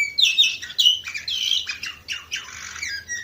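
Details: Canary in Varna, Bulgaria, 2018, delivering loud, harsh, buzzy warbled phrases that tumble quickly over one another with little pause.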